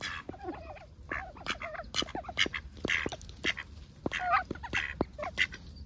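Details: Ducks at close range on an overcast day, busy with their daily routines: a dense chorus of harsh, honking quacks and wavering nasal notes, several overlapping, continuing throughout with brief gaps.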